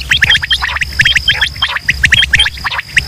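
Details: Quail calls from Pakistan, a mix of male and female voices played as a hunting lure: dense, overlapping, rapid short chirping notes repeated several times a second, with a thin, steady high-pitched whine running underneath throughout.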